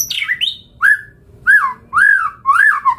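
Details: Captive white-rumped shama used as a lure, singing a few high downslurred notes followed by loud, full arched whistles repeated roughly every half second.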